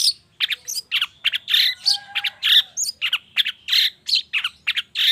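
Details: Shrike lure sound for the morning, played to set off singing in long-tailed shrikes: fast continuous harsh chatter, notes tumbling about three per second with brief squeaky whistles between.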